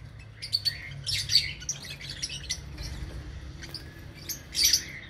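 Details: Lovebirds in an aviary giving a few clusters of shrill chirps and harsh squawks separated by quieter gaps, with a low background hum.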